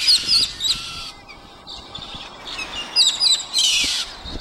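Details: Noisy galahs, pink cockatoos, at Lakes Entrance: harsh, high, screechy calls in short overlapping bursts, loudest at the start and near the end, separated by quieter gaps.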